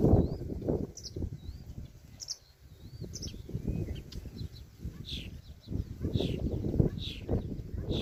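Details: Blackbird chicks in the wild, calling when hungry or seeking warmth from their mother: thin, high chirps and short wavering whistles in irregular bursts, over steady low rumbling background noise.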